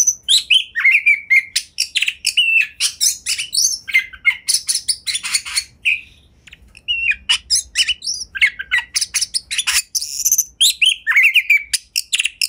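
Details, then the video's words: Oriental magpie-robin (kacer) in long, energetic gacor song used to coax other magpie-robins into song: a continuous stream of high chirps, harsh squeaks, rattles and whistled slurs, with a brief pause midway. "Kacer Rumahan Pun Bisa Ikut Gacor! Pancingan Kacer Gacor Agar Bongkar Isian Ngobra"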